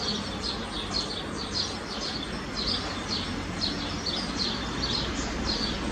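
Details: Eurasian blue tit pair making constant trips to a nest box to feed young chicks, about one visit per minute; faint high chirps repeat every half second or so over a steady hiss of background noise.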